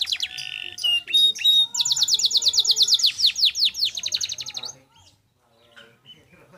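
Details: Canary singing clearly in a master recording meant to train and prompt other birds: sharp high whistles, then a fast buzzy trill of rapid rising-falling notes for about three seconds, ending abruptly in near silence.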